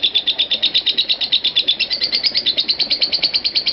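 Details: 'Konslet parah' ngekek of a lovebird, used as master audio to extend the ngekek duration of other lovebirds. Shrill, buzzy chips follow quickly at about three per second, slightly uneven in spacing.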